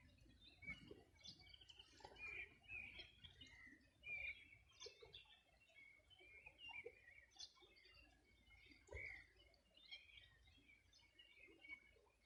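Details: Birds singing on the shore of the Bueno River, Los Ríos Region, summer morning 2020: scattered sharp chirps and brief whistled notes in irregular bursts, some louder calls standing out against quiet low background noise.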